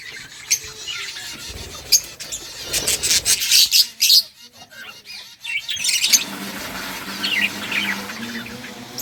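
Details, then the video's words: Playful budgies in a breeding setup chirp in loud clustered bursts of high, scratchy notes, with a softer chattering stretch and a faint low hum in the background. "Budgies playing and chirping"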